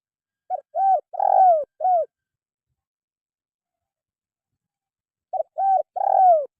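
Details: Spotted dove call played to coax lazy caged songbirds into singing: a mellow phrase of a short note, two quick coos and a drawn-out falling coo, then silence before the phrase starts again.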